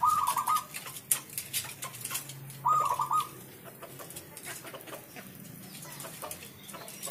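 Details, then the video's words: Zebra dove (perkutut) singing steadily: two short, rolling, trilled coos about two and a half seconds apart, over a constant hiss of background noise. "PERKUTUT MANGGUNG GACOR"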